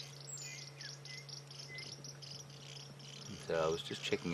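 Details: White-crested helmetshrikes, a cooperatively breeding flock, give rapid high swizzling chatters while feeding at sunrise in Sabi Sand, likely contact rather than alarm calls, several notes a second over a low engine hum; a person's voice cuts in near the end.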